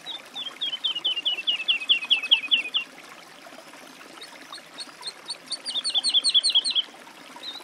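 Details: Woodlark song: a quickening run of slurred, liquid whistles, a short pause with faint high notes, then another louder descending series of rolling notes.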